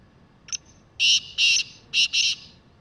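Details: Wild black francolin roaming free, giving a loud, clear call: a faint short click, then four harsh, grating, buzzy bursts grouped in two pairs, each burst about a quarter second long, over a quiet background.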